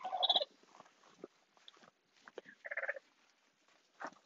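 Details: Broody hen hissing. An opening harsh, squawky burst is followed by scattered short breathy hisses and a clucking, buzzy note midway, then a final sharp hiss.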